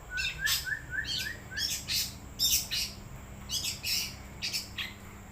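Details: Long-tailed shrike, wild, singing a line of soft upslurred whistles that alternate with harsh buzzy chatter bursts, the pattern recurring over several seconds above a low steady hum.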